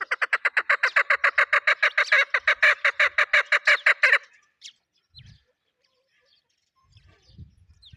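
A female chukar partridge gives a fast, harsh series of about thirty clucking notes over four seconds, then a few faint thumps and rustles.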